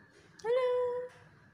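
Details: Black-capped lory kept as a pet giving one sustained, voice-like note that rises briefly and then holds steady for about half a second in a quiet room.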